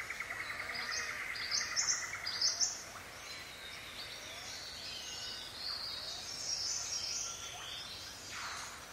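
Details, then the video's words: Paradise riflebird gives a few loud, harsh rasping bursts in quick succession inside rainforest in the morning, with a steady insect drone and scattered chirps from other birds in the background. "Loud Rasping Calls From Paradise Riflebird"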